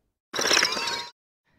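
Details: Wing flutter of a Fork-tailed Flycatcher from either the migrating or the non-migrating subspecies, which differ in notched feathers: a dry, buzzy rattle lasting under a second, laced with thin whistled tones from notched flight feathers.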